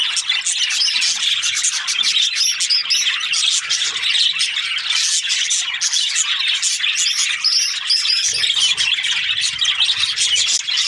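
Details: Flock of Australian budgies chirping nonstop. Rapid high twittering and scratchy warbles overlap into an even wall of sound, with a faint low thump near the end.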